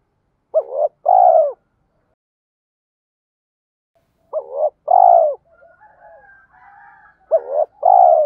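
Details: Spotted dove decoy cooing used to spur newly caught birds into singing duels. Three low phrases, each a quick broken double note then a long, steady coo sliding down at the end. Faint softer cooing sits between the later phrases.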